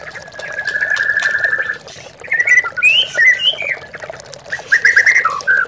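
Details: White-rumped shama lure song for training caged birds against a rival: a long, steady, level whistle, a short gap, then quick looping whistled phrases, with a constant trickle of water beneath.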